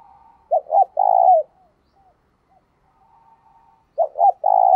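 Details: Decoy spotted dove used as a lure to draw in wild doves, giving urging coos and calling coos: two short rounded notes followed by a long, husky, slightly falling coo, repeated after a quiet gap with faint soft murmurs between.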